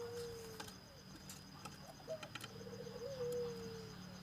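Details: Puter dove, a bird suited to calling around the home, giving faint drawn-out cooing notes that slide gently downward, two phrases spaced about two seconds apart over steady background hum and scattered clicks.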